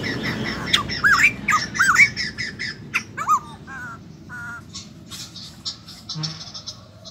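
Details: Recently wild-caught white-crested laughingthrush kept in a cage, with a burst of loud harsh squawking notes early on, then sparser, softer calls over steady background noise.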